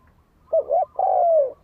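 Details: Decoy spotted dove calling to provoke a fight: two short wavering coos followed by one long, smoothly falling coo, loud and clear against a quiet background.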